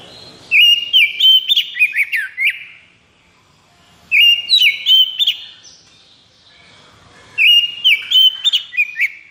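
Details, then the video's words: Caged white-rumped shama in high breeding condition, singing three bursts of rapid whistled and chattering notes, each about two seconds long, separated by short pauses; sharp clicks mixed with rising and falling whistles. "KACER KONSLET!"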